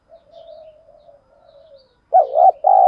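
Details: Spotted dove kept as a decoy: a long, soft, level coo lasting nearly two seconds, then a loud wavering note and the start of a strong sustained coo that is cut off at the end.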